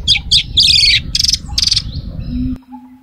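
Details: Female oriental magpie-robin calling males: harsh, buzzy, scratchy chattering notes in rapid bursts, about four per second, over a steady low background hum, ending with a sharp click.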